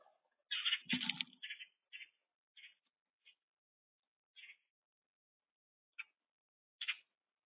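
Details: Harsh, buzzy calls of a boat-tailed grackle on a bird cam, a quick burst of rasping notes followed by spaced single chacks, with a brief low thud near the start.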